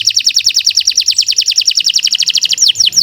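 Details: Canary delivering a fast, even trill of bright chirped notes, about seven per second, closing with two sweeping downslurred whistles.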